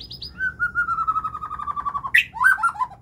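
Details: White-rumped shama singing; a long, rapid run of even whistled notes slides slowly downward, then a sharp high flourish and a few richer warbled phrases, over a low background rumble.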